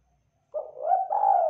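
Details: Local Indonesian spotted dove, a lively tekukur used as a calling lure; a brief burst of gentle coos, starting with a short note and swelling into a sustained, level cooing sound.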